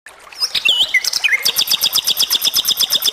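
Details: Flycatcher (sikatan) singing energetically: a few varied high whistled and slurred notes, then a fast, steady run of sharp, bright, high chips repeated about four times per second until the end.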